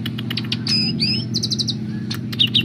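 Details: Greater green leafbird, a kept bird singing energetically: clipped high whistles and a long, slurred, bending phrase, then a run of rapid repeated chips, over a steady low engine-like hum.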